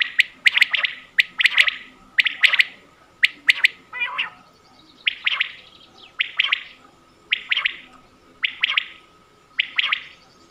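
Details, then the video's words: Hunting lure recording of quail from Mianwali: clean, sharp three-note calls, each beginning with a click, repeated roughly once a second with brief quiet gaps, one phrase broken by a raspy flutter. "batair ki awaz 2023"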